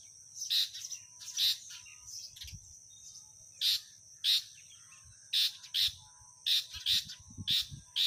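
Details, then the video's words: House sparrow calling at its nest, apparently in a chimney; sharp high chirps in short bursts, often paired, repeated about once a second with brief pauses, and faint low rumbling beneath. "Sparrow Bird Sound"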